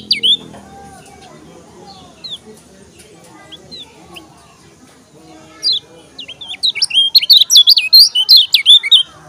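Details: Lombok yellow-crowned bulbul, a kecial kuning, giving a few scattered short whistles and soft chatter, then after a pause a loud, fast sequence of looping whistled notes in the last three seconds.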